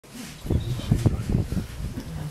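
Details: A Eurasian bittern gives deep, hollow, low-pitched pulses, a short run of resonant grunting booms over about a second, with faint outdoor background; recorded at Minsmere RSPB Reserve, Suffolk, UK, on 8 April 2012.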